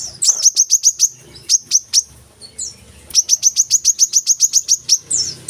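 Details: Brown-throated sunbird singing, used as master audio for captive birds: evenly spaced sharp high chirps in fast runs, a short quiet gap, then a longer rapid series of piercing notes.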